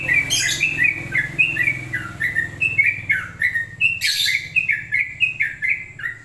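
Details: Long-plumed bulbul song: an opening scratchy burst, then repeated short whistles alternating high and low, a harsh rasp midway, and more whistles over a steady low hum.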